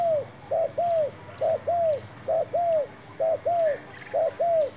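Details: Spotted dove (terkukur), a newly brought decoy bird used to lure wild doves into a new trap, giving mellow, arched cooing notes in close pairs, five pairs repeated about once a second, over a steady high-pitched background hiss.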